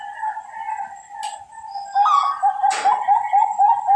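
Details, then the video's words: Zebra dove of Bangkok type from an Indonesian breeder gives continuous wavering low coos. A sharper rising phrase begins near the midpoint, with a couple of brief noisy bursts and faint higher chirps in the background. "SUARA PERKUTUT BANGKOK"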